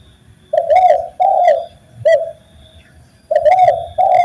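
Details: Spotted dove song, from a training recording for doves: three mellow, throaty coos, the last one short, then a pause and two more coos in quick succession.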